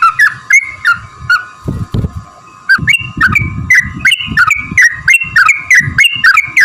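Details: Trucukan chattering song as a lure for other birds: bright whistled notes, a brief quiet gap, then a fast repeated string of bubbly phrases over low thumping noise.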